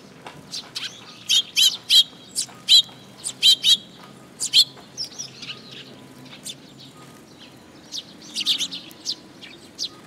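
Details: Eurasian tree sparrows gathering at a feeding spot on a post at a shrine in June: a quick run of sharp, high chirps, bunched in pairs and triplets, then scattered softer twittering from several birds.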